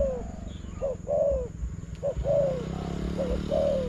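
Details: Spotted dove answering a decoy during a bird-trapping contest with paired coos, a brief note then a drawn-out falling coo, roughly once a second, over low rumble.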